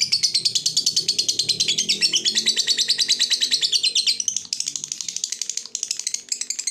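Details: Long ngekek trill from a fighter lovebird, delivered to make rival birds answer: a rapid, dense stream of shrill chattering chirps that holds for about four seconds, then breaks into slightly looser bursts, over a soft low background rumble.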